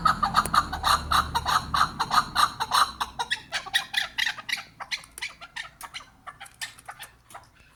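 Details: Kyrgyzstan chukar opening with a loud, rapid series of rhythmic chuck notes that slows and fades into scattered, softer clucks, with a faint low hum underneath.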